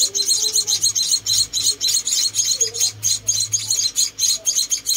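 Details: Tiny munia nestlings rescued and fed by hand produce fast, overlapping high-pitched chirps, nearly four per second, hissy and insistent, with faint low background noise.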